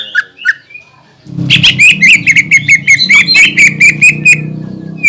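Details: Greater green leafbird lure song to excite other leafbirds: two soft notes, then a dense, loud stream of repeated whistled and chirping notes over a low background hum.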